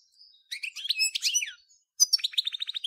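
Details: European goldfinch of the Major form, recorded in 2014, gives two bright twittering song phrases: a jumble of high tinkling notes, a pause, then a quick run of clipped, evenly spaced chirps.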